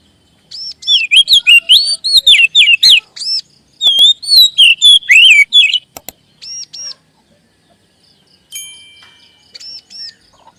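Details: Oriental magpie-robin (kacer) song used as a lure to make other kacer sing; rich whistled phrases sliding up and down in quick bursts, with paired arched high notes and a thin piercing whistle near the end.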